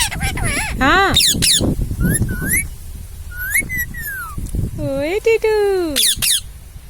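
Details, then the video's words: Indian ringneck parrot chattering in speech-like bursts: clipped syllables, rising and falling whistled slurs, then a long descending drawn-out phrase, with low background rumble throughout. "इंडियाn रिंगनेक्क parrot talking"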